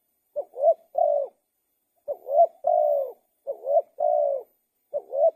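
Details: Spotted dove cooing steadily: three-part phrases of a short rising note, a swelling upslurred coo and a long level coo, repeated about every two seconds in a quiet setting, four phrases heard.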